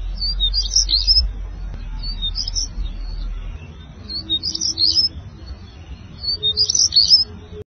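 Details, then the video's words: African stonechat (Conchemoro) singing: short, scratchy, high twittering phrases repeated roughly every two seconds, four phrases in all, over a low rumbling background. "Conchemoro, càntigu - Saxicola torquatus - African stonechat - Saltimpalo"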